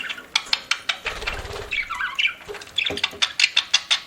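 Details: Pet parakeet while eating: rapid irregular clicking, likely seed husking, runs through the recording, with a short warbled chirp phrase in the middle and sharp high ticks toward the end.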